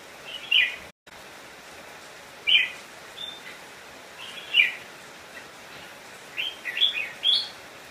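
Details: Red-whiskered bulbul singing as a decoy to attract wild bulbuls to fight: short, separate whistled chirps every two seconds or so, ending in a quicker run of notes, with a brief dropout near one second.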